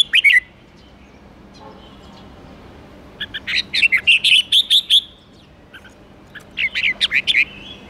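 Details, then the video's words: A red-whiskered bulbul gives three bursts of bright, quick, chattering whistled notes, each under two seconds, with quiet gaps between them over a faint steady hiss. "Chào mào ché kích bổi nhanh ché"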